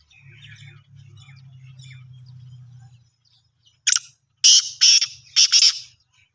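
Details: Black francolin: after a low humming drone fades out, loud harsh rasping notes start, one short note followed by three grating bursts in quick succession.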